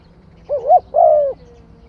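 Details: One spotted dove phrase: a rising, wavering double note runs straight into a longer, steady, low coo lasting under a second.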